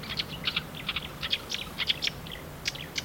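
A marsh warbler sings a fast, chattering run of varied high notes and short trills, packed with borrowed phrases from other birds, over a faint low hum.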